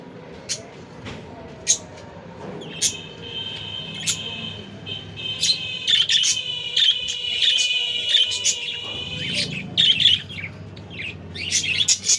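A cockatiel gives long, bright whistled notes mixed with quick chirps, steady in pitch.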